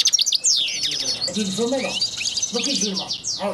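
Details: Pair of European goldfinches, Constantine goldfinch type, recorded in 2010: rapid high twittering and tinkling notes with quick buzzy trills, joined by softer lower chattering sounds partway through.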